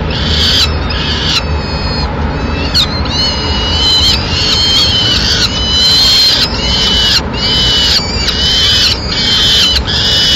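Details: Peregrine falcon in Madrid; the male brings a swift and feeds the chicks, which then eat on their own: harsh, high screeching calls in drawn-out bursts roughly every second, over a steady low rumble.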